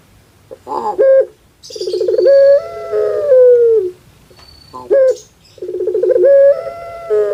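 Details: Pet puter pelung dove in Java, Indonesia, with its call compared to a baby crying: short clipped notes alternating with two long coos that begin with a buzzy burr and glide downward, plus faint high chirps.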